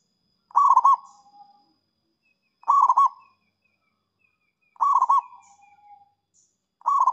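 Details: Zebra dove (perkutut) song aimed at attracting rivals: a short rolling coo phrase followed by a long soft fading whistle, repeated about every two seconds.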